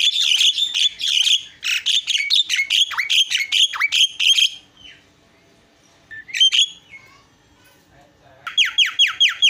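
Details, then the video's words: Javan myna singing in a lively 'isian' filler style: rapid bursts of sharp, chirpy, whistled notes repeated in dense runs, a pause, a few scattered notes, then another quick burst of chattering phrases; no other sounds. "SUARA ISIAN..!! JALAK KEBO PALING KRENN"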